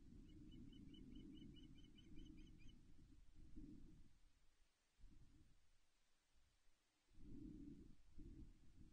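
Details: Ospreys mating on the Loch Arkaig nest, 17 May 2021, recorded by a livestream camera: a rapid string of thin, sharp chirps rattles out over roughly two seconds, then gusty low wind noise surges and fades in bursts.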